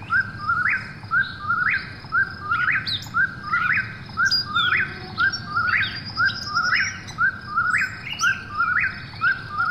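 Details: Long steady run of nearly ten whistled phrases from an Eastern whip-poor-will at night, each low-then-rising and evenly spaced about a second apart, with sharp high chips from other birds mixed in.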